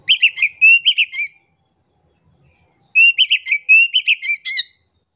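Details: Oriental magpie-robin song, used as a lure to get a quiet, reluctant bird singing: two bursts of loud, ringing whistled notes with bright overtones, each burst about 1.5 seconds long, separated by a silent gap.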